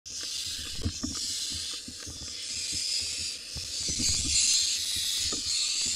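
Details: Barn owl at the nest, a nest switcher grabbing prey: long, loud, breathy hisses, with soft clicks and shuffling beneath.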